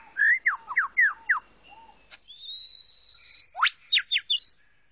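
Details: Male Superb lyrebird (Menura novaehollandiae) on a cleared forest display space gives a courtship mimicry song of copied birds to persuade females to come close: quick falling whistled slurs, a long steady high whistle, then a sharp rising sweep and clipped notes.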